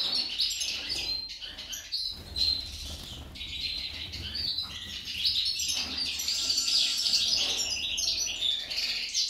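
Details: Song of a female goldfinch, likened to a hummingbird: a continuous fast high-pitched twitter of mixed chirps and trills that grows denser and louder in the second half.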